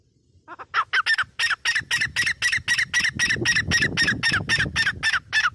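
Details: Grey francolin, locally teetar, in a sustained rapid series of harsh, rhythmic squawking notes, around four per second, building after a soft onset, with low background noise throughout.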